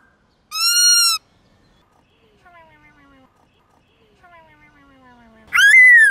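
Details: White-cheeked laughingthrush singing in the forest style with many voices in the morning: a loud, rich, slightly arched whistle, then soft descending whistles, ending in a loud, harsh, rising burst.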